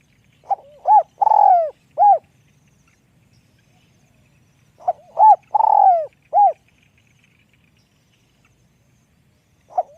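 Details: Spotted dove giving two cooing phrases about four seconds apart. Each has a few short hoots, a longer drawn-out mellow coo, and a final hoot. A third phrase starts at the end. The background is quiet.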